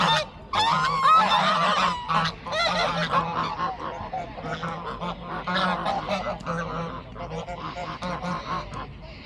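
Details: Group of geese at a pond honking loudly and defensively in protest after a black swan enters their territory, with wings flapping; harsh, nasal honks come in rapid, overlapping bursts, roughly two a second.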